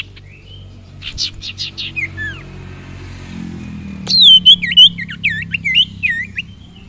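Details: Sirpu (sirtu) bird singing vigorously: a short run of rapid buzzy high notes, a few downslurred whistles, then a loud burst of varied sharp whistles and chirps at the end, over a steady low hum.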